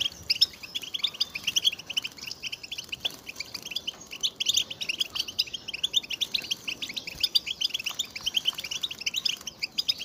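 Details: Collective chattering of European goldfinches, mating and readiness calls played to stimulate males into song and excitement. Long, unbroken flow of quick, high, twinkling chirps from many birds at once, steady from start to finish.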